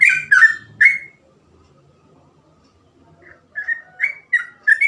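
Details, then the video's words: Yellow-vented bulbul's ropel song: three loud, rich, gurgling whistles, a silent gap, then a fresh run of quick, slurred, bubbly notes. "burung trucukan gacor ropel cengkok mudah di tiru"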